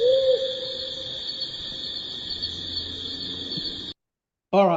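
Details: A Powerful Owl gives a low, mellow hoot that carries faintly, played over room hiss during a workshop; this species' distinctive call is two-noted, and the male's is usually lower than the female's; a voice begins speaking at the end.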